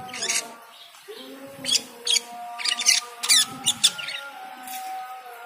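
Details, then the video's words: Cucak keling singing energetically with a full, varied song on hearing the call to prayer; bursts of sharp, high chirps and rattles, with the sustained chanted call to prayer heard underneath. "Cucak keling teler gacor full isian saat mendengar adzan."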